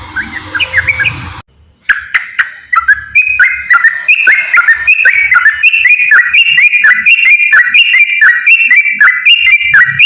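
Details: Straw-headed bulbul in full 'gacor ropel' song, used as a lure to get lazy bulbuls singing: after a brief cut, a sustained, rapid, rolling cascade of loud liquid whistles continues almost without pause.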